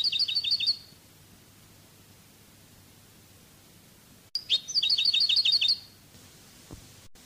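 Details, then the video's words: European goldfinch singing Cádiz-style Spanish song: two quick rhythmic runs of doubled tinkling notes, the second arriving after several seconds of near silence, with a soft click before it. "CANTO DE JILGUERO CADIZ شريط لغة الحسون الإسباني قادس"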